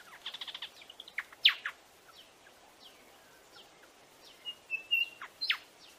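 Buff-sided robin gives a quick burst of high chips, then sharp downslurred notes and a brief thin whistle, over a faint natural hiss.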